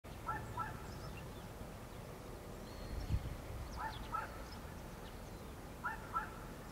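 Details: Greater painted-snipe (Rostratula benghalensis) recorded in Korea on 25 March 2022, giving soft, hollow hooting notes in pairs, repeated every few seconds, over low rumbling background noise with faint distant chirps.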